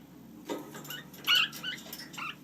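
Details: Lineolated parakeets, pet birds with chicks: a soft click, then a loud, short, nasal chirp, followed by a few quieter twittering notes over a constant low hum.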